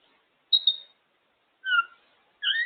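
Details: Captive African grey parrot, a female sitting on her cage, gives three short separated whistled notes, a wavering high tone then two lower paired tones, with quiet gaps between.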